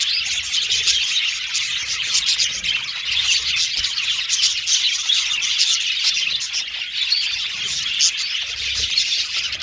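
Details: Pet Australian budgies chirping happily, a sign of comfort and contentment: a dense, continuous flock-like chatter of high, soft tweets and trills with no pauses, several birds overlapping throughout.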